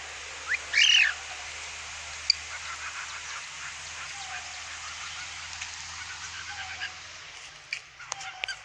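A cockatiel gives one loud, harsh, nasal call, then near silence with a few faint chirps.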